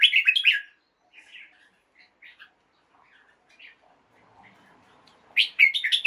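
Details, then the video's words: Caged red-whiskered bulbul singing at dawn to stimulate birds: a loud burst of rapid chattering notes, several seconds of faint scattered chirps, then another energetic warbled burst. "กระตุ้นนก ให้คึกคัก ยามเช้า เสียงร้องเสียงริกนกกรงหัวจุก"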